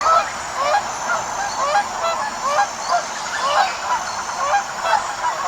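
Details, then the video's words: Flock of wild geese calling together, many overlapping nasal honks and short rising yelps sounding continuously over steady background hiss, with no pause in the chorus. "Sounds of a Flock of Wild Geese"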